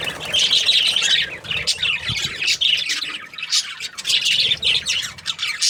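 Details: Continuous chirping from several budgies, a rapid scratchy warble mixed with sharp squawks that rise and fall in loudness throughout, with no gaps.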